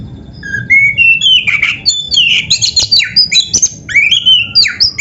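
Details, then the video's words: Oriental magpie-robin training song rich in varied phrases: a rising whistle opens a dense, fast stream of bright whistles, slurred notes and scratchy chips, sung loudly without pause. "SUARA MASTERAN BURUNG KACER GACOR ‼️ DENGAN FULL ISIAN MEWAH - SEKETIKA IKUT GACOR"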